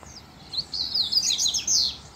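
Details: Double-collared seedeater singing in a contest with a loose wild male: a short, fast, high twittering run of sliding whistled and buzzy notes that grows louder and denser toward the end.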